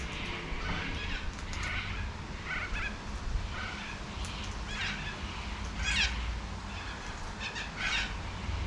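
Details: A wild cockatoo in a backyard in Adelaide, South Australia, calls with short, scratchy squawks spaced about a second apart, then a louder rasping burst near the end, with constant low-pitched background hum.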